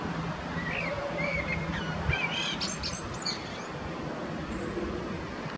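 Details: Male common blackbird singing in Zurich canton, Switzerland, on 21 February 2017, a species that sings most in dim morning and evening light: soft, fluty mid-pitched phrases, then thin squeaky high twitters, over a low rumble of distant traffic or wind.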